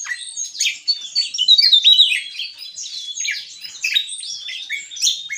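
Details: Gacor ngeplong song of a Javan tesia, a busy jumble of high, thin chirps and short whistled slurs tumbling rapidly for five seconds, with a brighter, louder burst near the middle.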